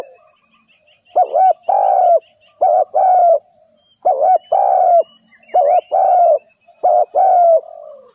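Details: Spotted dove decoy for trapping, cooing in a run of phrases, each a quick wavering double note and a longer falling coo; faint high twittering of other birds in the background.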